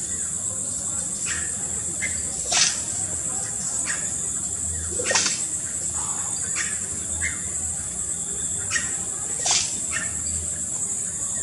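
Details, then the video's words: Chestnut-headed oropendola at Rana Roja Lodge, Tortuguero, Costa Rica, 24 May 2018, giving sharp, liquid descending song notes every two to three seconds with fainter wing rattles between, over a steady high cricket drone. "Chestnut-headed Oropendola Song and Wing Rattle"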